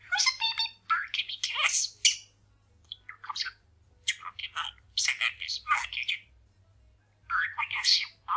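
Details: Indoor pet male parakeet chatting and mumbling while practising sayings: quick bursts of buzzy, gravelly imitated speech and warbles, broken by a few quiet pauses.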